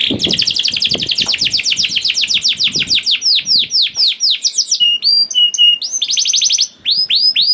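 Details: Canary song used to get other canaries singing: a long, fast trill of repeated notes, then loud, falling whistles, short flat notes and another quick trill.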